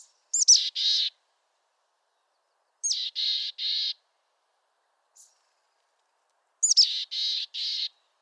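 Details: Mountain chickadee from western North America calling a throaty chick-a-dee-dee three times, about every four seconds. Each call has sharp high hooked notes followed by two or three broad, buzzy dee notes, with one faint high tick between calls.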